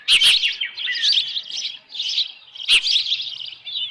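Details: Osprey calling at the nest with a headless fish, Dunrovin Ranch, 10 June 2018, 6:41 PM. High, thin, tremulous chirps in short phrases, broken by two loud clicking knocks.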